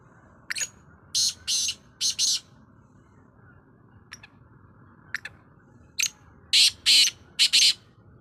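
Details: Black francolin giving harsh, scratchy calls in quick groups of three to four loud notes, with a few faint clicks in between.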